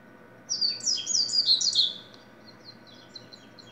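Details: Double-collared seedeater (coleiro, corbatita) singing a quick burst of high, sweet chirps and slurred notes lasting about a second and a half, followed by faint scattered high notes over a steady low hum.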